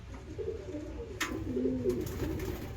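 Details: Pigeon; display call; a chick showing anger, a defensive threat display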